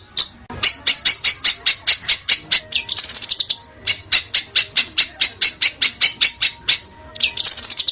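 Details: Contest-bird training song with dense, harsh screams and sharp bursts. Long runs of rapid, high, scratchy chips are broken twice by a shriller, buzzy rattle, then the fast chipping resumes.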